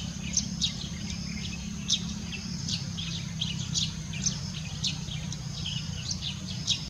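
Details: Chirping yellow-throated sparrow: quick, high, clipped notes repeated at irregular intervals, some doubled, with a continuous shrill background hiss and a deep rumbling noise underneath.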